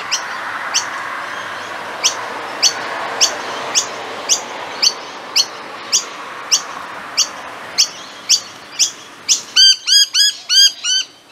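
Noisy Miner giving sharp, high chipping notes about twice a second, then a quick run of louder, ringing descending notes. A steady hiss of background noise runs underneath.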